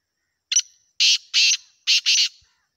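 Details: Black francolin from Pakistan, known locally as Hanguwal desi kala teetar or Kohati teetar: a loud, harsh, grating call of one short clipped note, then two pairs of broad raspy bursts, in a quiet background.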